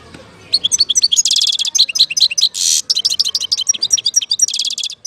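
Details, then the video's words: European goldfinch singing in Algeria, recorded in 2019: a fast, lively run of high twittering notes with buzzy trills and a harsh, dense burst near the middle, continuing without pause. "اجمل صوت حسون في الجزائر 2019"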